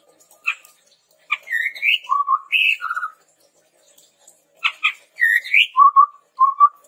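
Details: Training-lure recording of a lively chestnut-rumped babbler: two bursts, each opening with sharp clicks, then upward-sweeping high whistles and lower wavering whistled notes, with a silent pause of over a second between bursts.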